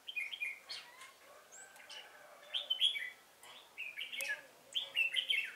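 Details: Song of a red-whiskered bulbul kept as a trapping lure, 1 November 2017: several short, clear, chirpy whistled phrases with upward and downward slurs, separated by brief gaps.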